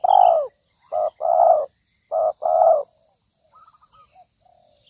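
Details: Spotted dove call as a trap lure: a long falling coo, then two short-long coo pairs in a steady rhythm, followed by faint distant twittering over a constant high hiss.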